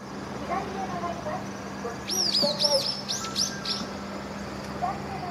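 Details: Brown-eared bulbuls, two birds fighting fiercely over a tree at a parking lot in Japan shortly after sunset in early November, possibly a territorial dispute; a burst of sharp, high, looping squeaky calls repeated rapidly, with faint background noise.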